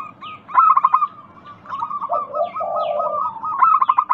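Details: A local zebra dove sings to prompt other doves to answer: a loud burst of rapid coo notes, then a quieter rolling series over a low purr, then another loud burst. Faint chirps from other birds overlap.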